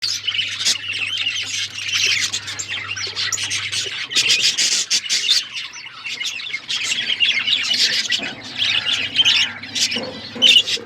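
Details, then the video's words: Budgerigars kept as pets, chirping together: dense, continuous chatter of warbling and squawky notes, bright and high, with a low steady hum under the first four seconds. "Budgies chirping sounds make me happy"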